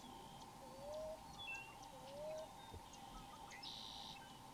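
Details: Common Ground Dove singing in the wild in Florida, perched in a tree; two gentle rising coos about a second apart, with scattered high chirps from other birds and steady background hum.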